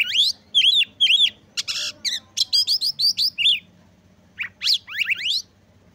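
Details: Oriental magpie-robin singing to provoke rival magpie-robins and stir their breeding urge; loud varied whistled phrases with repeated up-down slurred notes, sharp chips and a rapid burst of short notes, pauses between phrases, faint low hum beneath.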